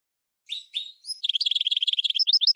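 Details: Goldfinch and red canary hybrid singing as a tutor for training birds: a few slurred whistled notes, then a fast run of high twittering syllables repeated in quick rhythmic series, clean and without background noise.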